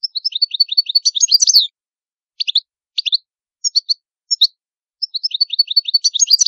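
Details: Italian goldfinch song: a fast liquid twittering run, then a pause, sparse clipped double and triple chirps, then another rapid jingling twitter, all high-pitched and clean, with no other sounds.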